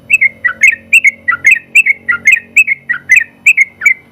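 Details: Sooty-headed bulbul, first-place winner in the general class, singing in quick paired whistles. Bright notes rising and falling repeat several times per second in a lively, nonstop rhythm.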